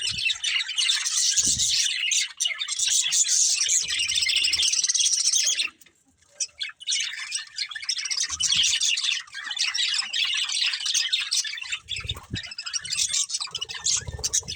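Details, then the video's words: Budgerigar breeding pair in continuous busy chatter of rapid scratchy chirps and squawks, about three notes a second, breaking into a brief silence midway before the twittering resumes. "Cute Budgies Chirping Sounds"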